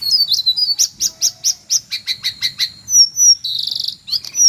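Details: Jongkangan screeching for white-rumped shama training: a rapid series of harsh, clipped high notes, a few thin whistles, then a short dense buzzy rattle and a final sharp rising note.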